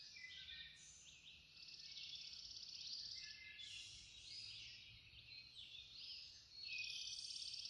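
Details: Birds singing at dawn at Linville Falls, several overlapping high twittering phrases and quick trills that come in waves, rising again strongly near the end, over a faint low background hum.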